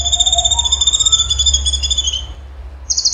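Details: Cucak cungkok tembakan song: a high, quavering whistled phrase that wavers and falls off, with a soft rising note beneath it and a short buzzy burst at the end.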